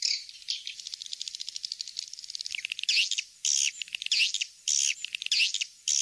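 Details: "Kings Star" swiftlet calling sound, used to draw swiftlets in: a fast, even chatter of high dry clicks, then loud buzzy twittering bursts about every half second.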